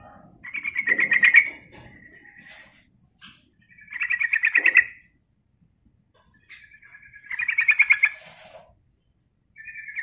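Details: Sooty-headed bulbul calling to attract birds: four bursts of rapid buzzy pulsed notes roughly every three seconds, with brief thin notes between them.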